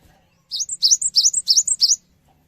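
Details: High, clear cinereous tit song played to provoke responses from other birds: six fast two-note phrases in about one and a half seconds, each a rising whistle capped by a thin higher note.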